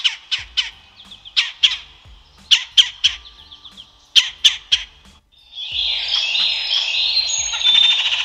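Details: A Red-bellied Woodpecker in a Florida backyard gives sharp, harsh churring notes in quick pairs and bursts, several per second, before a steady hiss of wind or rustling takes over.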